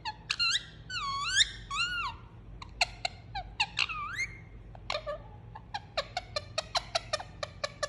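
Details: Indian ringneck parakeet kept as a pet, cuddled indoors and uttering soothing sounds: wavering whistled notes that dip and rise, followed by crisp short chirps repeating faster toward the end, with faint background hum.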